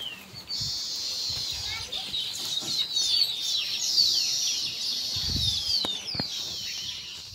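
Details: Zebra finch pair: a constant, dense twitter of high, short, nasal chirps and thin squeaky notes, with occasional faint low thuds.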